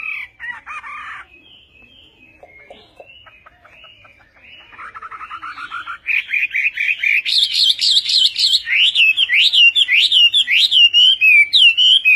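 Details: Chinese hwamei, or họa mi tây, in Vietnamese song style: faint scattered notes and a soft trill give way to a loud, steady stream of looping, rising-and-falling whistles.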